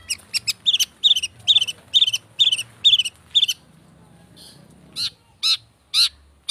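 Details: Long-tailed shrike lure song meant to make other birds sing: rapid clusters of rasping, buzzy bursts about three per second, then a pause and several louder harsh notes, faint low hum underneath.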